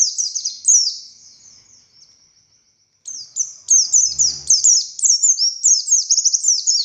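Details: Buxtoni Oriental white-eye singing long, nonstop 'ngalas' song with 'tembakan' bursts: rapid high, thin chirps sliding downward in quick strings, a pause of about a second, then denser chattering phrases with a brief low thump.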